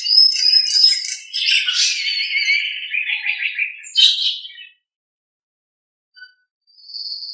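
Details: Nias hill myna singing in a master recording meant for training other birds: high, varied whistled and chattering phrases for about four and a half seconds, a pause, then a faint short note and a thin steady whistle.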